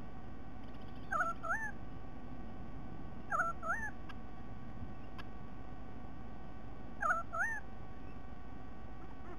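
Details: White-bellied sea eagle (Haliaeetus leucogaster) recorded 13 October 2020 gives three bursts of nasal, honking double notes, each briefly inflected, several seconds apart over a steady low rumble.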